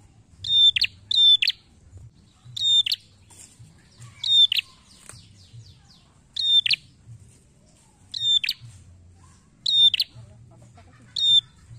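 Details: A red-headed prinia, recorded as a lure call meant to provoke other prinias into answering, gives sharp, high chirps, often in quick pairs, repeated in bursts every one to two seconds over a faint low hum.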